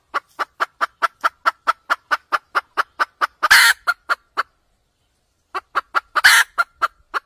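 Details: Red junglefowl hen cackling, a sound used for trapping: rapid clucks about four per second, broken by two loud, harsh squawks and a one-second pause before the clucking resumes.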